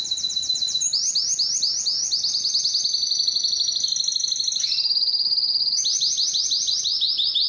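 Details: Belgian canary song used to excite females for mating; chains of quick sweeping notes merge into a dense sustained trill, a brief lower tone, then repeated sweeps again.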